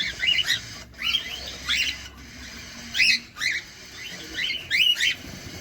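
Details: Feeding cockatiel giving brief, upward-sweeping chirps in spaced groups of two or three, separated by short quiet gaps, with soft clicks and low background noise.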